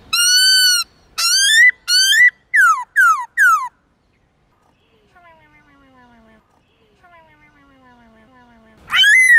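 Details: Black-throated laughingthrush giving many-voiced morning forest song for training young birds: strong whistled notes, some rising, then several steeply falling slurs, a pause with faint distant descending whistles, and one loud whistle to finish.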